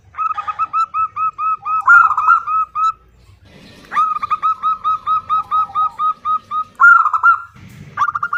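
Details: Female zebra dove calling a male, giving long runs of short, arched, hollow coo notes repeated rapidly and regularly, broken by brief pauses and a few thuds. A second, lower cooing voice joins now and then.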